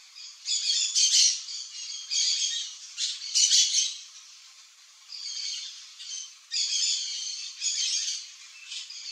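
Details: Yellow-chevroned Parakeet pair (Brotogeris chiriri) calling: scratchy, high squawks in several bursts of a second or so, separated by quieter gaps, with sharp chirps mixed in.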